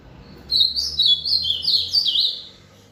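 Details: Ultramarine grosbeak after an outing delivers one rally phrase: a quick, liquid series of rising and falling whistles for about two seconds in a quiet setting.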